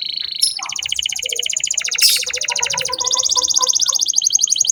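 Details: Canary song used as a lure to train young canaries: loud, fast rattling trills, high-pitched and strongly repeated, with a bright burst near the two-second mark followed by a steady rapid trill.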